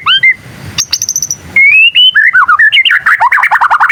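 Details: Young white-rumped shama learning its song, which makes other shamas answer; high thin whistles and a short ticking series lead into a sustained rising whistle, then a fast jumble of chattering, wavering notes.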